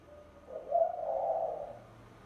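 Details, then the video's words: A single spotted dove lure phrase, a soft low coo swelling into a longer husky, slightly wavering note, with faint low background hum. "TIẾNG CHIM CU GÁY MỒI"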